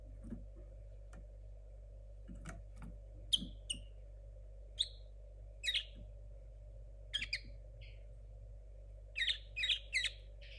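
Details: Young linnet hybrid hatched in 2022, still learning a muddled song: scattered short chirps and a few clearer whistled notes spaced across several seconds, over a steady low electrical hum.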